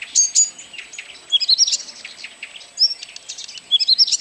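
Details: Blyth's reed warbler song from Kępiny Małe, Pomerania, Poland, June 2011: brief bursts of high whistled notes and dry ticks separated by short pauses, the phrases quick and mimic-like.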